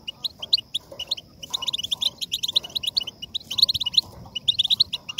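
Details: Goldfinch singing, played to encourage other goldfinches to sing; quick, high liquid twittering notes strung into fast chattering runs, some louder clusters toward the end, over a quiet background hum.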